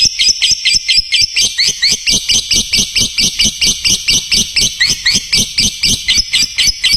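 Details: Lovebird chatter used as a tutor recording for training other lovebirds: fast, evenly spaced high chirps, roughly two per second-fraction, in a continuous run for the whole stretch, each note sharp and bright.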